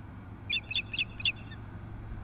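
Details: Ospreys at a nest on the Kootenay River west of Nelson, British Columbia, alerting at an intruding osprey at 10 am on 8-7-2015: four faint, high chirped notes in quick series, distant, over low rumbling background noise.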